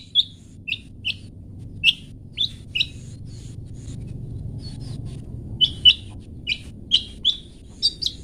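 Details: Long-tailed shrike in a 'toet toet' style song, a tutor recording for training pet birds to sing: short, sharp, high chirped notes spaced irregularly, sometimes in quick pairs, over a low steady background hum.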